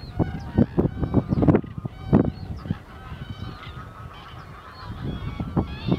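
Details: Common cranes (Kraniche) in winter on 1 February 2014, a flock giving loud trumpeting calls in bursts during the first half and the last second, with quieter layered calling between.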